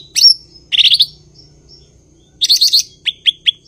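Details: Blue-winged leafbird (cucak ijo) in top singing form: a sharp high note, a fast buzzy trill, a pause, another trilled burst, then four evenly spaced bright chirps that fall in pitch.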